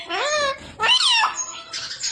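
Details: Parrot saying "papa" on being coaxed: two voice-like syllables with stacked harmonics, the second rising and falling in pitch, then a fainter raspy trailing sound indoors.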